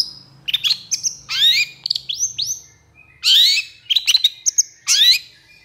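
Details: Long-tailed shrike in full, energetic song with long bursts, kept as a tutor recording for other shrikes: a rapid mix of high chirps, rising sweeps and harsh buzzy notes in dense clusters with short pauses between them.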